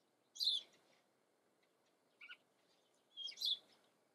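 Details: A common blackbird in the Eifel, Germany, gives two high, scratchy twittering bursts about three seconds apart, with a brief soft double note between them, against an otherwise quiet background.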